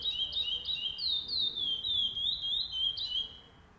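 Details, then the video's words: Tournament-singing chestnut-bellied seed finch, first stage, 8 November 2020: loud pure whistled notes, short rising slurs then long gliding falling ones, delivered briskly and fading near the end. "Torneio de Curió Pardo"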